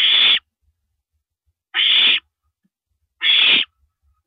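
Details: Recorded 1:27 AM, April 9, 2012, while a female owl downs a rabbit: rough, breathy owl screeches of about half a second, repeated every one and a half seconds in near silence.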